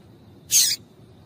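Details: Female double-collared seedeater (papa-capim) call, used to stir a male into singing: a single short, bright, high chip, slightly buzzy, lasting about a quarter second against quiet background hiss.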